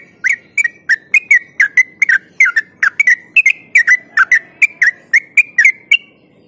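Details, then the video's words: Yellow-vented bulbul, called trucuk, singing in the rapid ropel style used as a lure to make other bulbuls sing: a fast run of short chirping notes near the same pitch, about three per second, with sharp clicky onsets. "Trucuk Ropel Joss Buat Pancingan Burung Yang Jarang Ropel Dijamin Gacor Dor"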